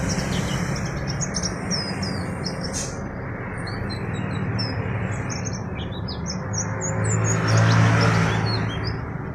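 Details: Young untrained oriental white-eye singing: short, thin, high chirps and twittering notes in quick succession, rising and falling, over a loud, steady low rumble of traffic.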